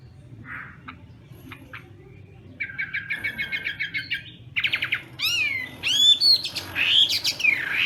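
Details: Chinese hwamei at morning voice training for singing contests: soft scattered calls, then a fast dry rattle-like series, building into loud sweeping whistled slurs that rise and fall steeply.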